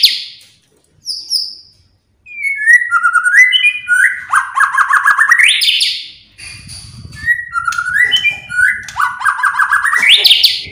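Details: Song of a white-rumped shama, played to stir other shamas into singing. Sharp high whistles, a pause, then falling whistles into rapid rising trills that climb at the end. The pattern repeats twice.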